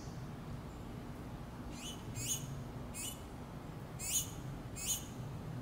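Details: Finch chicks asking their mother for food: loud, high, upswept chirps, five in the second half, some doubled, above a low steady rumble.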